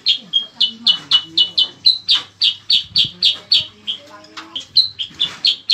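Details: Cicak kurincang, or bayeman, singing as training material for competition cage birds: steady, fast series of sharp high chip notes, about four per second, with occasional short whistled slurs mixed in.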